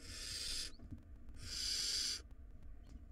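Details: Wild barn owl nestlings in a nest box, fighting in a tug-of-war over a very large rodent: two long, harsh, broadband hissing screeches, the second longer, with scratching and shuffling noises between them.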